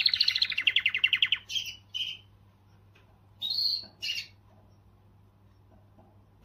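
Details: Canary singing to motivate females: a short rolling trill followed by a few separate harsh chirps with silent gaps.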